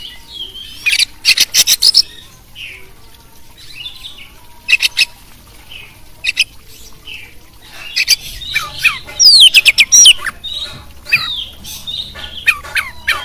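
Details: Oriental magpie-robin champion song rich in fill-in phrases, meant to provoke other birds: rough raspy volleys, soft warbled whistles, then a dense stretch of sweeping, bouncing whistled notes mixed with harsh chatter.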